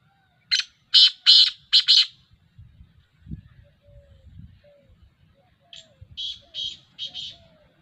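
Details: Black francolin, recorded 19 August 2021, giving two harsh, grating five-note phrases a few seconds apart: a short note, two longer buzzy notes, a brief gap, then a closing pair. Low rumbling background sounds fill the pause between phrases.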